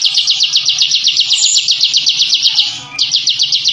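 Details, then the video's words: Captive bar-winged prinia (ciblek) in ngebren song, which intimidates rivals: rapid repeated high chips in a steady trill, a brief break near the three-second mark, then the trill resumes. "Suara Masteran Burung Ciblek Ngebren & Rapat Abis"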